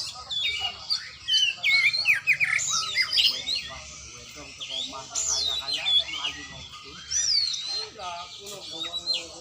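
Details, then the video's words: Oriental magpie-robin in training, delivering loud bursts of varied, twisting whistles and chattering phrases separated by quieter gaps, the phrases rising and falling quickly, over a faint steady low hum. "latihan burung kacer"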